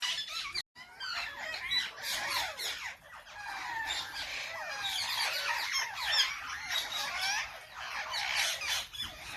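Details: Parrots calling: a dense flock chorus of harsh, overlapping squawks and chattering screeches, continuous with no pauses, many birds at once.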